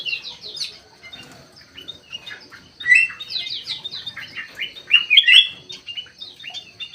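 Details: Aviary-kept Ruby-throated bulbul (kutilang emas, white-eyed form) in lively song: clusters of sharp whistled notes around the third and fifth seconds over dense, rapid, high twittering from many birds.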